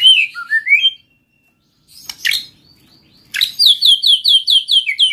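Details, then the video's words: White-rumped shama song used to prompt other shamas to sing: rising whistled phrases, a pause, then a fast run of repeated sharp chirping notes with overtones. "pancing MURAI BATU malas bunyi/bahan paling mudah direspon tanpa takut"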